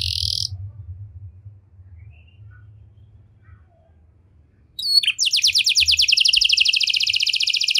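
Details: Brief canary phrase, then a long near-silent pause before a loud, fast mechanical trill of rapid repeated notes. The cengkok mewah singing style is used to draw song from other canaries.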